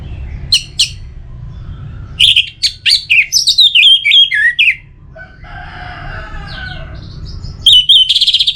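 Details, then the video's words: Orange-headed thrush song used to stimulate a kept bird to sing: loud, varied whistled and chattering phrases in bursts, with sharp repeated notes, a rasping middle passage, then quick high chirps again; steady low hum beneath. "Pemancing Burung ANIS MERAH Agar Selalu Gacor"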